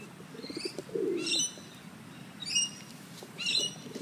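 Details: Sulphur-crested cockatoos, two wing-tagged birds, playing with a coffee cup at the Royal Botanic Gardens in Sydney; three harsh, raspy screeches about a second apart, with a lower murmuring sound and background rustle.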